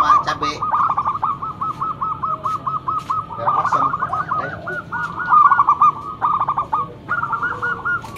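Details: Local zebra dove singing loudly as a lure bird, a continuous chain of short staccato coos with brief clicks and knocks in the background.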